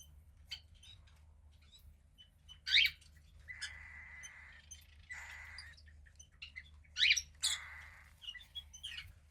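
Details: A female cockatiel chick about fifteen days old, grey like her pied father, gives several short buzzy rasps in the middle of the recording. Loud chirps and tweets sound around them.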